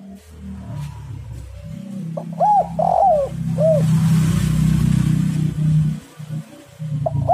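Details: Spotted dove song used as a lure for doves: one phrase of three hollow arched coos sounding over loud, steady low-pitched rumbling noise, with a further coo starting at the end.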